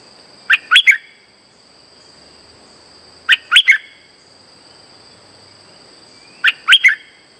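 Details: Streak-eared bulbul trapping lure: three quick three-note chirping phrases spaced about three seconds apart, with a constant high-pitched background whine.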